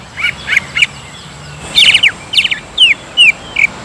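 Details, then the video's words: Greater green leafbird song played to provoke agitated singing: a few short whistles, a brief lull, then clustered buzzy notes and clean, falling whistles. "PANCINGAN CUCAK IJO GACOR AGAR MAU EMOSI DAN NAIK MENTAL,LANGSUNG JAMTROK"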